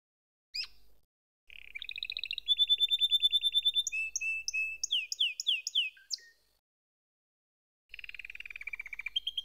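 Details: Canary song with buzzy rolled trills, a string of clear descending whistles and sweeping notes, interrupted by silent gaps before a further trill.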